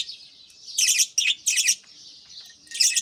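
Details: Captive budgerigars in the early morning, a breeding group with chicks in nest pots; soft continuous high warbling underlies three loud, quick chirp bursts and a final burst.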